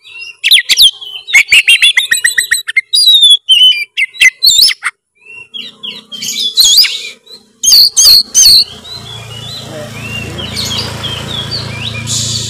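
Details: Oriental magpie-robin singing in full narung style, meant to get a quiet bird singing. Rapid bursts of high chirps and trills in the first five seconds, then scattered notes over a noisy, hissing background.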